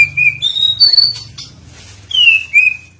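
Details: Oriental magpie-robin singing, played as a lure to prompt other birds to sing: a few long, clear whistled notes, level and gently rising or falling, with a pause before two final slurred whistles; low hum beneath.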